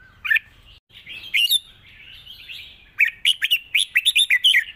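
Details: Red-whiskered bulbul delivering a long song with a flourish: an opening whistled note, a short gap, then a rapid run of about eight bright, rolling whistled notes in close succession.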